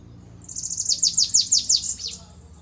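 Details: Bananaquit (sibite) song in the 'belga corrido' style with an unusual 'pitiu': a rapid run of roughly nine very high, downward-slurred, whistled-buzzy notes lasting under two seconds, rising then fading, over faint low hum.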